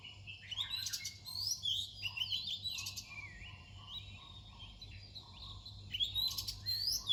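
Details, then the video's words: Near dawn, an Oriental magpie-robin delivers bright whistled phrases mixed with sharp clicking, scratchy notes and upward slurs, coming in uneven bursts over a low hum. "เสียงนกกางเขนบ้าน ตอนใกล้รุ่ง"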